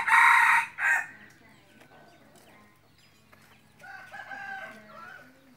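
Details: Red junglefowl crow from a decoy bird kept for hunting: a loud, hoarse burst in the first second with a short final note, followed by faint distant calls and soft background sounds.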